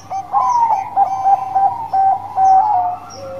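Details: Zebra dove 'bekur' song from a lively singing 'Banngko' bird, used as a lure for other birds: a string of clear, ringing coo notes in close groups, some sliding slightly downward, with a low hum beneath.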